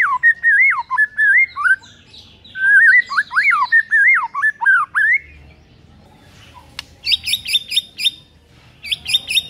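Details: White-rumped shama singing in the morning to provoke a rival shama into singing back: loud whistled phrases sliding and looping around mid pitch, then a burst of rapid high repeated notes in short bursts near the end, with a quiet background.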